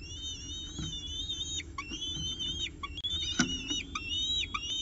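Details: Pigeon breakfast at the CSU Orange peregrine falcon nest, 24 October 2018: repeated long whistled wails, each ending in a downward slur, with a soft thump and low background noise.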